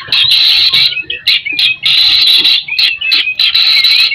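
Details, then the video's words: Lure song of a white-rumped shama meant to spur other shamas, delivered as rapid, harsh, noisy chattering bursts of about a second each, separated by short gaps and mixed with quick slurred notes. "MURAI BATU GACOR Ampuh buat pancingan"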